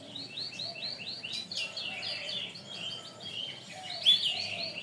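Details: Canary song from a long training recording: a fast rolling series of repeated whistled syllables, followed by a loud sharp note and a bright trill.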